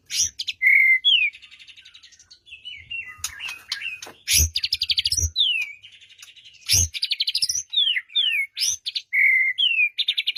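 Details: Lure song of a white-rumped shama, meant to make a silent shama answer, for morning or afternoon: loud varied phrases of whistles and sweeping rising and falling notes, buzzy bursts and fast trills, with occasional sharp knocks.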